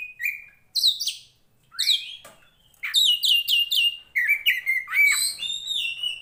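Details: Poci Tretes kacer, Oriental magpie-robin bred for fighting song, used to train birds' mentality; a drawn whistle, spaced bursts of stacked bright notes, then a steady series of repeated whistled phrases.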